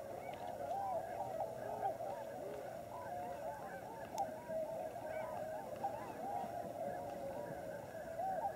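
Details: Large wintering flock of Tundra Swans at Lower Klamath National Wildlife Refuge on the Oregon/California border; dense overlapping chorus of mellow, hooting honks, many birds calling at once in a continuous babble.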